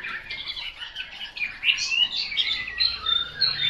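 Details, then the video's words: ['Chinese hwamei song, somewhat quieter, with jumbled warbled phrases and a few clear, high, bright whistles near the end over a soft low rumble.'] "Họa mi tuyển chọn"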